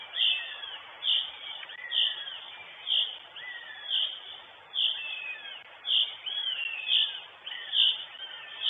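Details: Northern goshawk mother at her nest in Estonia, filmed by a live nest camera on 23 June 2022: a high, slurred call repeated roughly once a second, each note dropping slightly, over a steady background hiss.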